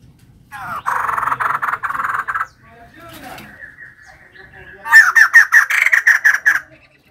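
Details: Female white-crested laughingthrush singing energetically: a burst of rapid harsh chattering notes, a thin sustained whistle-like tone, then a loud series of sharp, ringing cackles repeated about twice a second.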